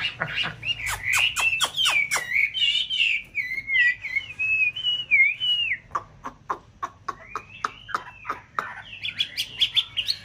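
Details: Chinese hwamei (white form) in a conservation aviary in a mountain town, paired during the nest-building breeding season: rich rising and falling whistled phrases, sliding melodic runs broken by sharp clicking notes, then further warbled whistles.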